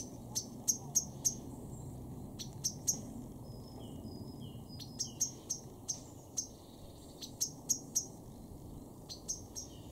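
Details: Male common blackbird in a garden in Weener, East Frisia, northwest Germany, in May 2024, giving sharp, metallic ticking notes in quick, uneven clusters of two to four, with short thin whistles and a low rumble.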